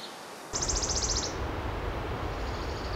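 A Common Chaffinch gives a quick, bright trill of about ten high notes that drop slightly in pitch over under a second, over steady rushing wind noise.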